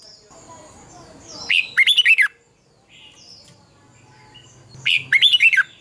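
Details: Red-whiskered bulbul in competitive dawn singing, used to train birds: two phrases of rapid, ringing warbles about three and a half seconds apart, with softer distant chirps between.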